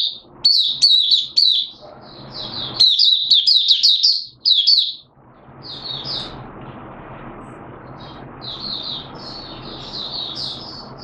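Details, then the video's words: Malaysian Oriental white-eye (mata puteh) in buka sing singing, Singapore, 29 March 2023, warm humid weather with sudden showers; rapid high twittering phrases in bursts separated by short pauses, with low background hum. "Malaysian Mata Puteh Buka Sing"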